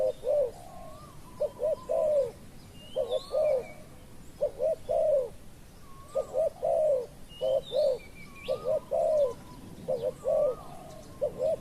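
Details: Spotted dove cooing during decoy trapping of a wild dove: many rhythmic phrases of quick double coos ending in a longer bowed note, repeated over and over, with thin upslurred whistles of small birds above.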